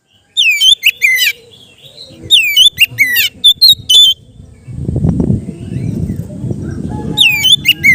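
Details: Oriental magpie-robin (kacer) song in a relaxed 'ngeplong' style, used for training kept birds: loud bursts of sharp, slurred whistles falling from high to mid pitch in quick clusters, followed by rumbling low background noise.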